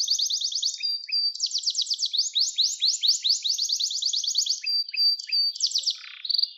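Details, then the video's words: Gloster canary song meant to stimulate canaries and teach young ones: continuous high trills of rapid repeated notes broken by short level whistles, with a few lower chirps underneath. "Gloster Kanarya Sesi Ve Ötüşü | Kanarya Huylandırma Ve Kızıştırma Ötüş Eğitimi"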